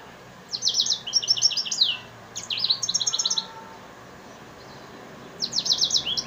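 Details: Yellow-fronted canary × African singer F1 hybrid singing in Souk Ahras: fast, high, rattling trills of evenly repeated notes in three phrases, the middle one a clipped buzzy series, separated by brief pauses against a faint background hiss.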